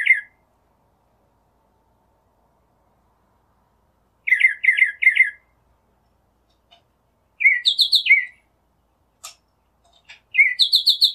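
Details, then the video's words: Northern mockingbird song: varied phrases each repeated in quick runs, a triple buzzy chirp, then rapid higher stuttered notes, separated by silent pauses and a few clicks. "Northern Mockingbird Song, Sound, Voice, Call, Melody - Sinsonte Canto"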